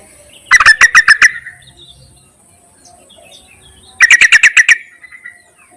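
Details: Yellow-vented bulbul call for attracting males, also used to coax quiet caged birds into singing: two rapid bursts of six or seven sharp chattering notes, about three and a half seconds apart.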